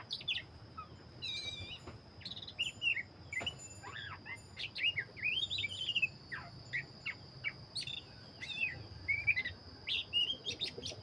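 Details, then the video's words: Black-breasted Oriental magpie-robin singing vigorously: a rich run of varied whistled phrases, sharp rising and falling notes and short chirps, delivered in quick bursts over a steady high-pitched tone and a low background hum. "burung Kacer dada hitam gacor"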